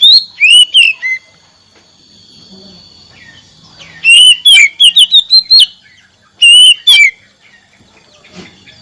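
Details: Oriental magpie-robin singing loud whistled phrases in three bursts separated by quiet pauses. The notes are rising and falling slurs, and the middle burst is a quick run of about eight varied notes.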